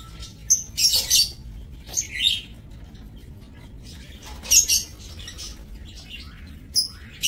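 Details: Aviary-kept breeding lovebirds, recorded 30 May 2024: clusters of piercing, buzzy chirps, with a quiet pause in the middle, then more sharp squeaks.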